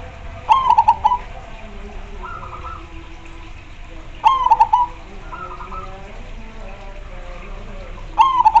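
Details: Zebra dove (perkutut) in lively, repeated song. Three loud phrases come nearly four seconds apart, each a sliding opening note and fast pulsed coos. Softer, similar phrases between them suggest other doves replying.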